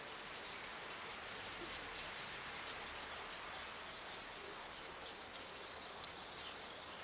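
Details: A steady, even hiss of broadband noise with a low rumble underneath, much like a passing train, and no clear animal voice.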